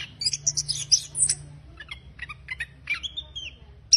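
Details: Orange-headed thrush giving rough, rapid chattering bursts, high and scratchy, in quick uneven phrases with brief pauses, used to prompt silent birds to sing; a faint low hum underneath.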